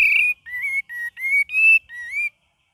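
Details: Cream-vented bulbul singing gacor variation: six clear whistled notes in steady sequence, each level or gently rising, full and ringing, delivered within about two and a half seconds.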